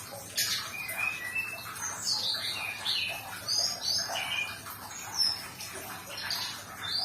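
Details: Sumatran leafbird song played as therapy to get a stressed bird that stopped singing to sing again: clear whistled notes gliding up and down between middle and very high pitch, varied phrases over a noisy background hiss.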